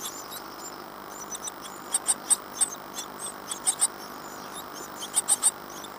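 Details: Great tit nestlings in a birdbox at Falmouth, UK, 14 days after hatching on 25 April 2011, give very high, thin squeaks in quick bursts of two or three, among soft scratching and rustling clicks.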